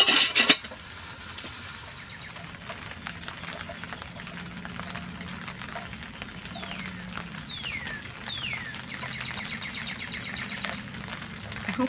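Northern cardinal song: a few clear, downslurred whistles, each sliding from high to lower pitch. Kitchen clinks and a steady patter of rain sound behind it.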